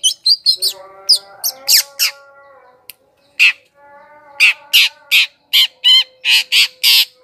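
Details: Harsh, squawking notes from a long-tailed shrike, a lure sound for attracting wild birds. A rapid series comes first, then a pause, then loud grating calls about every third of a second over a faint steady hum.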